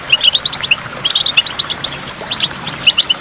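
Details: Goldfinch singing by a waterfall with water drops: quick high twittering notes tumbling in short bursts, bright chirps packed closely with brief gaps between phrases.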